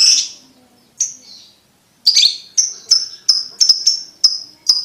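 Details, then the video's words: Lovebird ticking call, played to teach young lovebirds to trill fast: a few scattered harsh chips, then a run of sharp, high, clipped ticks roughly every third of a second, clean and isolated. "Lovebird Ngetik Ngetik Untuk Pacingan Paud Cepat Ngekek"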